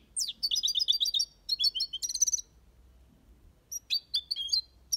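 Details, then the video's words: European goldfinch singing in an aviary, a song style called Malaga copy: rapid high twittering phrases of repeated liquid chirps and trills, several bursts in the first two and a half seconds, a pause, then more sharp twittering notes near the end. "Goldfinch song/ best chirping of the goldfinch | Jilguero Cantando copia malaga/ chardonneret chante"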